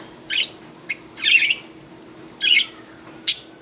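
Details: Pet budgerigars, one taking a bath: five short, bright chirps and scratchy warbles at irregular intervals over a steady low hum.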